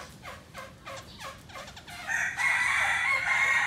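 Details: Black laughingthrush singing while dancing: a run of quick, repeated downward-sweeping notes, about four per second, breaks into a loud, harsh, rasping burst held to the end.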